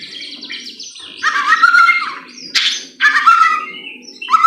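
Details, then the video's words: Captive white-rumped shama song played to spur another bird to sing: bursts of rich warbled whistles and rattling notes separated by short pauses, over a soft low rumble. "pancingan murai batu AGAR BUNYI jitu untuk JADIKAN murai batu GACOR EMOSI"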